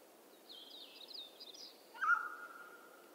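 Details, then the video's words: Western North American mountain quail call: a single loud, ringing mid-pitched note near the end, preceded by a faint, higher, buzzy twittering from another bird. "Mountain Quail Call"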